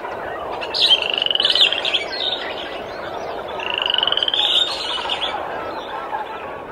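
A moorhen gives two short, rapid rattling bursts of clicking notes about three seconds apart, over a steady background hiss like running water or distant traffic.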